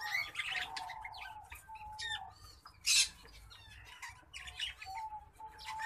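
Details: A Green Singing Finch (Serinus mozambicus) x Black-throated Canary (Serinus atrogularis) hybrid sings a rapid, chattering run of high twitters and trills, broken by a brief harsh burst, over a steady lower whistle-like tone.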